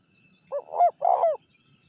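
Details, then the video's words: Single phrase from a champion Spotted dove used for luring wild birds: two brief hoarse coos running into a longer, rough, wavering coo, against a quiet background. "Suara Pikat Terkukur Gacor Juara 1 Untuk Pancingan Cepat Bunyi"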